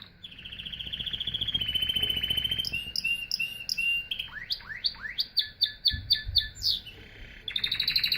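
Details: Varied canary song: a rolling trill, then clipped pulsed notes, a series of swooping upward-sweeping notes, and a return to the fast trill.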